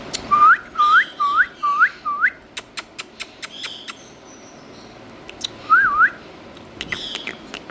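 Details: Indian ringneck parrot from India whistling five rising, hooked notes about half a second apart, then a run of sharp clicking taps, one more wavering whistle and faint raspy chatter.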